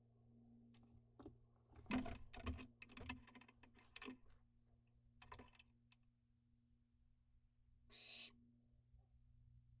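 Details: Young barn owls active at dusk on 29 June 2021, flying around and bathing during a heatwave and drought; a rough sequence of harsh, noisy hissing bursts and clicks, then one longer rasping screech near the end over a steady low hum.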